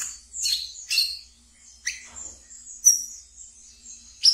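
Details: Pet brown-throated sunbird in ngeriwik style, used as a training lure: a few scattered shrill chirps with a thin high trill sustained between them, the notes separated by brief pauses.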